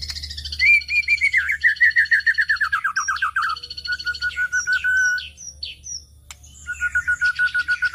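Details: White-rumped shama song used as a lure for other birds: rapid trilled series of descending whistled notes, a sustained whistled phrase, and high ringing tones, loud and continuous.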